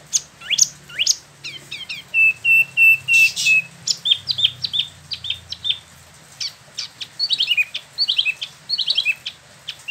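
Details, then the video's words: Newly moulted captive Spot-throated Babbler in West Java delivers a varied rolling song of sweeping upslurred notes, a steady row of short level whistles, and lively twittering phrases. "Wambi Mini / Tieu Mi (Pellorneum albiventre) ngeroll"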